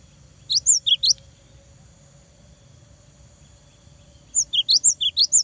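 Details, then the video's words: Cinereous tit singing to provoke an opponent into responding: a short burst of four bright, high whistled notes, then quiet for three seconds, then a quicker run of about seven alternating high and slightly lower chirps. "GELATIK BATU GACOR BIKIN LAWAN EMOSI !!! LANGSUNG NYAUT !!"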